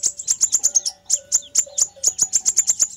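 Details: Lure recording of a fire-breasted sunbird: brisk clusters of piercing high chips, a short gap, then another quick run, with a soft low whine behind.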